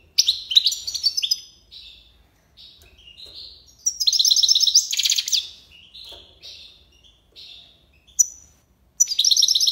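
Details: European goldfinch performing tiwawati-style song: loud twittering bursts, softer slurred notes, then a dense buzzy tinkling passage and sharp high chirps at the close.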